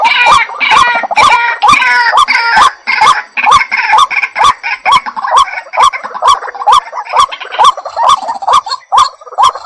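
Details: A white-breasted waterhen calls in a regular train of short upturned notes about twice a second; the opening seconds are busier with overlapping calls before the series settles, with clicks between notes.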